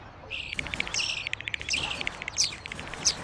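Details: European starlings recorded as raw material for game creature sounds: rapid, insect-like clicking rattles mixed with high whistled slurs, dense trains of clicks with sharp rising notes between them.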